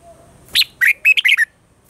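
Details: Red-whiskered bulbul giving a mature wild-forest voice morning song, used to train caged birds: a high sharp note followed by a fast, liquid warbled phrase of about five bubbling syllables, clear and close.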